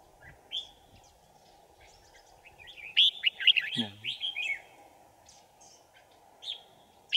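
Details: Decoy red-whiskered bulbul at a trap, 5 January 2018: scattered whistles build into a dense burst of rich, rolling warbles with a brief low buzzy sound, then isolated chirps.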